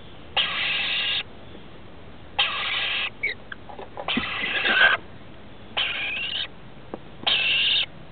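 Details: Rainbow lorikeet chicks, 21 and 17 days old, nesting in a roof and fed by their parents, give harsh, hissing rasps, each under a second long, in five bursts about a second and a half apart.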